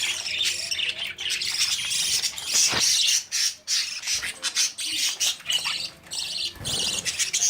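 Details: Budgie babies old enough to come out of the nest pursue their parents for food; a continuous wash of scratchy, buzzy squawks with a few sharper notes and a sudden loud burst near the end.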